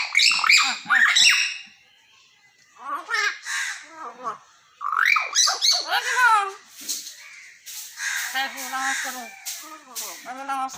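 A common hill myna talks in loud, speech-like phrases with shrill whistles and harsh squawks, in bursts separated by short pauses.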